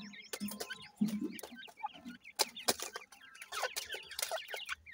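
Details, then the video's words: Grey francolin pair with chicks at feeding time: soft low clucks and short high thin chirps scattered among sharp clicking taps, with brief buzzy rising notes between. "dakhni teetar chicks ki awaz"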